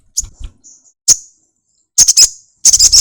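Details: Singing sunbird, opening its wings as it sings: scattered sharp, very high chirps, then dense rapid bursts of tinny notes near the end.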